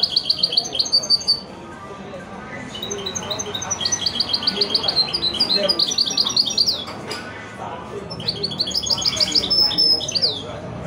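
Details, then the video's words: Caged goldfinch × canary hybrid (mule), bred from a male goldfinch and a female canary, singing in the widani style: bright high trills in quick repeated bursts and rapid chirped phrases, with soft background murmur. "هجين ويداني"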